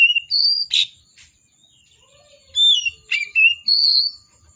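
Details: Vigorously singing oriental magpie-robin with a rich song repertoire, agitated and used to provoke silent magpie-robins: clipped whistles and a harsh rasp, a pause, then a run of four varied sweet whistled notes, with a steady high whine behind.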